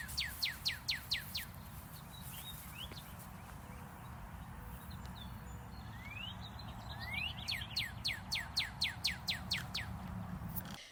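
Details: Northern Cardinal in southern Indiana: loud, clear whistled notes slurring downward, about four a second, then a few rising slurs and another fast run of down-slurs, over a low rumble.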